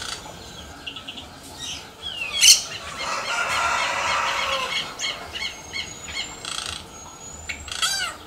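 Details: Yellow-rumped cacique in nature: a sudden loud rasping crack, then a long buzzy, churring stretch of rapid notes, followed by scattered clicks and thin rising whistles.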